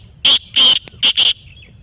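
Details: A black francolin replies to a played call with four harsh, scratchy bursts: two longer rasps, a pause, then two quick clipped ones close together. The background is quiet.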